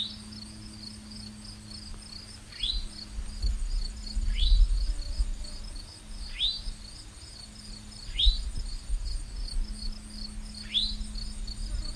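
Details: An Eastern Towhee gives its call, said to sound like "chewink" or "towhee", the source of its name. Five quick, rising notes come about three seconds apart over a steady high insect trill and a low hum.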